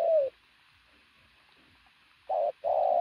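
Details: Decoy pigeon known for its loud coo: one falling coo at the start, a long silence, then a short coo followed by a longer held note.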